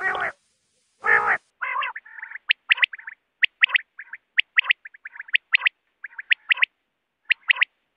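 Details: Two loud, broad rasping blasts open, then a quail calls in quick paired high, sharp notes with brief buzzy fragments between them, steady to the end.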